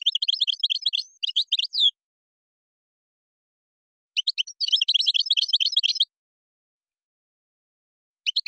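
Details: European goldfinch singing in Moroccan style, with phrases locally called gazrat and srrr bertbertiyo: rapid high twittering and buzzy notes in three bursts, pausing about two seconds between them; no other sounds.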